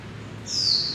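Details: Japanese white-eye trapped in a building at Taipei Artist Village, Taiwan, around 2006, gives a single thin, high-pitched note sliding slightly downward over half a second, over a faint low hum.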